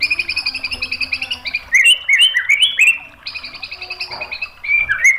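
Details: White-rumped shama in full song as a training and provoking recording: fast repeated high chips, then a loud sequence of stepped, rising whistles, a brief pause, and more clear whistled phrases.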